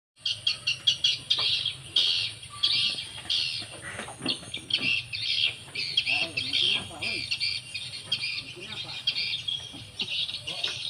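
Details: Edible-nest swiftlets at a four-storey, 12x12 swiftlet house in Banyuwangi, East Java, giving dense, rapid high chirps and twittering bursts that overlap almost continuously, with a steady low hum underneath and faint voices midway.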